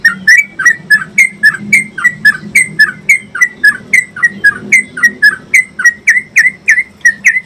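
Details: Trucukan, or Yellow-vented Bulbul, giving extended 'ropel panjang' singing meant to teach and stimulate cage birds. Quick run of sharp, downslurred whistled notes, roughly three to four each second, evenly paced over a soft low background hum.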